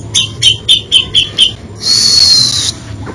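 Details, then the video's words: Grey-cheeked bulbul in an isian song variation: six short, clear whistled notes in even succession, then a long, loud, slightly falling whistle with a buzzy edge. "Variasi ISIAN Cucak Jenggot ini bikin merinding kicauannya"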